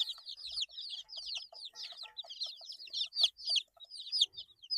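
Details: Young chicken chicks, 8 days old, giving rapid high chirps that drop in pitch, overlapping irregularly, with some louder sharp peeps and light tapping sounds beneath.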